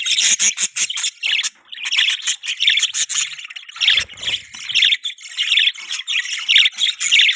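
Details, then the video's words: Budgerigars chirping, kept as pets: continuous loud chatter of rapid, buzzy, warbling chirps with repeated squeaky notes roughly every half second, a brief low knock near the middle. "Budgie Sounds|Budgie chirping sound|Cute Budgies Sounds"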